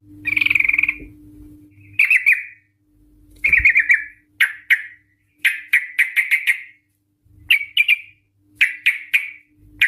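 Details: Female Sooty-headed bulbul recorded to draw out ropel song from other bulbuls: brief trills then scattered sharp notes in clusters of two to five, with quiet gaps and a faint low hum.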